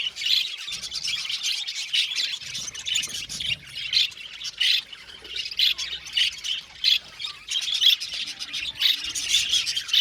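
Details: Aviary colony of budgies chattering: busy, high, squawky chirps and warbles tumbling over one another, with loudness pulsing in short bursts through the ten seconds and no clear gaps.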